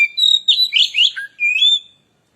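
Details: Oriental magpie-robin giving a lure song meant to rile other birds: a short, rich phrase of slurred whistles rising and falling, ending in a clear sustained note.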